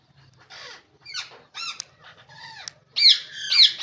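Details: Green ringneck parrots uttering nasal, arched squawks, some drawn out and wavering, ending in two loud piercing screeches.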